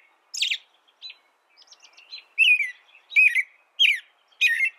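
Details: American robin singing: a loud squeaky opening phrase, a faint soft note, a quiet high twittering rattle, then four strong whistled caroling phrases roughly every half second.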